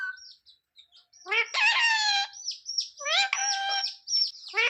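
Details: Pet parrot giving loud, harsh, harmonic speech-like bursts with thin high whistles between them, in two main phrases.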